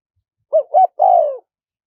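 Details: Small-voiced spotted dove in wild kharom pa style, a recording for luring wild doves: two clipped, arching coos and then a lengthy coo gliding downward, clear against silence.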